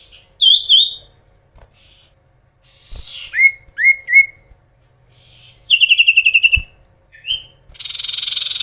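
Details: Oriental magpie-robin, a gacor singer kept to provoke rival birds, delivering loud varied phrases: slurred whistles, downward-swept notes, a rapid rattling trill and buzzy harsh bursts separated by short pauses.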